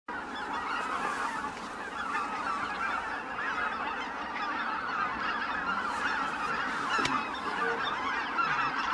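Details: Greater white-fronted geese leaving the roost, a dense flock chorus of overlapping nasal honking calls held steady throughout, with a brief sharp click near the seventh second.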